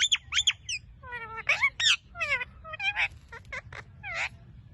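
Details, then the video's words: Pet ringneck parrot giving a rapid run of harsh, harmonic squawks and chattering, speech-like syllables. Short bursts come several per second, some sliding up and down in pitch, over a faint low hum. "Talking Ringneck Parrot Sounds"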